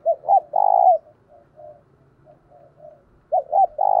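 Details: Decoy spotted dove in thúc and gáy gọi cooing: two short hooting notes and a long rolling coo, a stretch of faint soft coos, then the same loud three-part phrase returns at the end.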